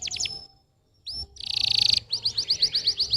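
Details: Canary song used to stimulate young canaries that sing little: a few quick chips, a pause, a rising slur, a dense buzzy trill, then rhythmic repeated bright notes.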